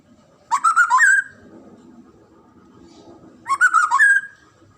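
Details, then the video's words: White-rumped shama, a popular Indonesian cage bird, singing two rich whistled phrases about three seconds apart, each a quick series of warbled notes ending in a slurred rising whistle, with faint low background hum. "KICAUAN MURAI BATU INI"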